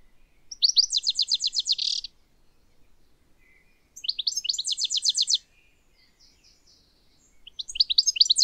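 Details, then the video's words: A wild European Goldfinch gathering sheep wool for its nest in spring gives three bursts of quick, high, tinkling twitters, each about a second and a half long, with short quiet pauses between. "European Goldfinch gathering nesting material - Bird Sounds"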